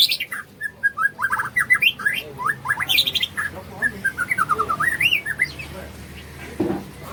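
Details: Morning song of a white-rumped shama: varied bright whistles, rising slurs and rapid chattering phrases in quick bursts, then a quieter pause near the end.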